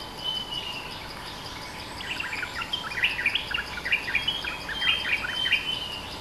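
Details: Streak-eared bulbul (merbah lekir), a territorial bird in a lure/call recording, gives quick, bright chirping phrases in bursts after a quiet start, over a steady insect-like hiss.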